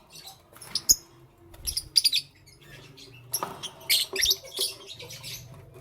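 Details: Busy morning chatter from lovebirds: rapid clusters of shrill, high squeaks and tweets, some doubled, over a low background hum.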